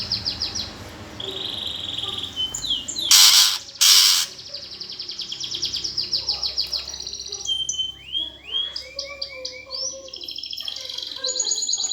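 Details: Greater green leafbird singing its 'gereja tarung' fighting song, used as a lure for contest birds: fast high chattering trills, two loud harsh rasps, then varied downslurred whistles and sweeping chirps.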